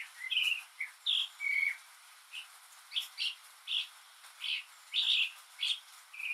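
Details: Northern Mockingbird singing alone on a rainy day, mimicking other sounds: a varied string of short, bright chirps and buzzy phrases, each repeated a few times, with a soft hiss of rain behind.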